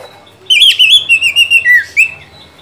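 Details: Oriental magpie-robin song played to stimulate another bird to sing: a loud, clear whistled phrase of wavering and sliding notes, a run of six short repeated whistles, then a dipping slur and a brief rising note.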